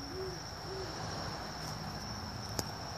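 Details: Great horned owl giving two short, low hoots about half a second apart, faint beneath a steady insect hum and a constant high whine, with a single sharp click near the end.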